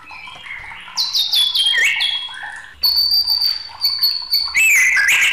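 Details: A white-rumped shama singing agitatedly mixes sharp high chips and descending whistles with a long, thin, steady high note, closing on a loud, warbling, wavering phrase.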